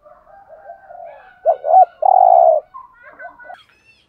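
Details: Cooing of a spotted dove (cu gáy), used to stir up a caged male bird: two quick low coos then a longer steady coo, with soft background chirps and whistles around it.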